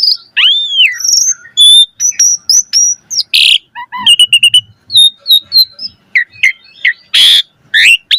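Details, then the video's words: Song of an Asian pied starling played to teach caged birds new phrases, mixing rising and falling whistles, rapid clicking notes, a harsh rasp and thin high chirps in a varied, jumpy sequence. "Suara Jalak Suren Gacor Full Isian Mewah Auto Bongkar Isian Pancingan Burung Jalak Agar Isian Bagus"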